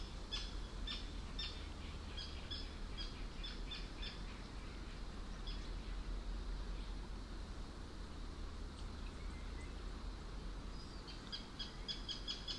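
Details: Arctic terns calling on a rainy summer evening by forest and flooded meadows on an island at Hällögern, northern Sweden: harsh, high, clipped calls in quick bursts at the start and near the end, over a steady hiss of rain.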